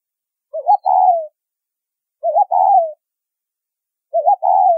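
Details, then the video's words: Three phrases of the spotted dove's low 'thúc rút bổi' call, used in bird trapping. Each phrase is a wavering short note followed by a sustained coo that drops in pitch, spaced nearly two seconds apart. "Tiếng Chim Cu Gáy Thúc Rút Bổi , Tông Còi Âm Quá Hay"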